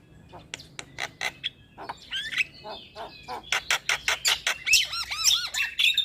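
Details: Starlings singing as therapy for birds that have stopped singing: scattered sharp clicks, squeaky slurred whistles, then a rapid rasping series and bouncy looping whistles.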